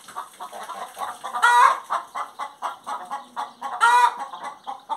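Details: A hen sings: quick soft clucks run on continuously, broken by two loud harsh squawking notes about two and a half seconds apart.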